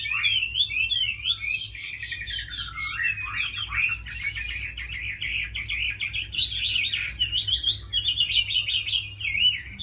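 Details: Chinese hwamei, a tame bird praised for fighting and singing well, delivers a long rich song of rapid rolling whistles and trills, shifting pitch often and rarely pausing, over a low background hum.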